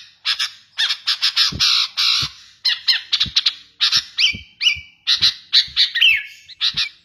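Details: Sooty-headed bulbul, kutilang garuda type, in full active song, recorded for training or luring birds. Rasping chattered bursts come in quick groups, broken by level whistled notes and sliding tones near the end.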